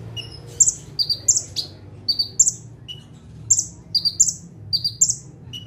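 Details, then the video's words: Bar-winged prinia perched in one spot and singing busily in 'tembakan' style: rapid doubled high chirps in clusters, interspersed with short lower whistled notes, against a soft low hum. "KONIN GACOR FULL TEMBAKAN - CIBLEK / PRENJAK TEBU - SATU TITIK SAMBIL DUDUK MANIS"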